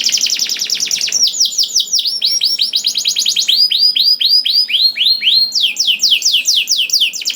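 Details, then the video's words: Canary song played to make other canaries sing: fast buzzy trill followed by tours of repeated arched, falling notes, each tour a slightly different pitch, loud and continuous. "MASTERAN KENARI GACOR !! DENGAR SUARA KENARI DI JAMIN KENARI NYAUT SEKETIKA"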